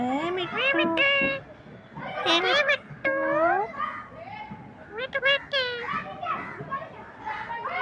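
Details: A talking green parrot copies human speech in quick phrases: bright, shrill syllables with rising and falling inflections, broken by short pauses and softer mumbled stretches.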